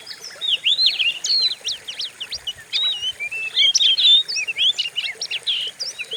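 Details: Oriental magpie-robin lure song to provoke caged birds: bright, rapid sequence of downslurred whistles, sharp chips and warbled phrases, loud and varied throughout.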